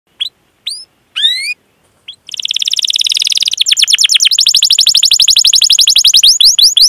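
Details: Canary song of the 'gacor' long, rolling 'cuit cuit' style, used as a lure for young or silent canaries: a few isolated rising whistles, then a dense buzzy high trill from about two seconds into fast rolling rising notes.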